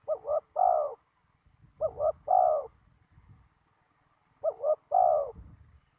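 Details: Spotted dove on a very windy day, recorded during ground decoy trapping. It coos three phrases about two seconds apart. Each is a quick double note and then a longer, fuller coo, over low rumbling wind.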